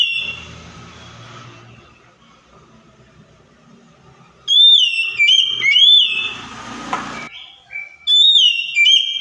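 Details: Kacer (Oriental magpie-robin) song played to stir a silent bird into answering: low rumbling background at first, then loud swooping whistled phrases repeated, interrupted briefly by a burst of broadband noise.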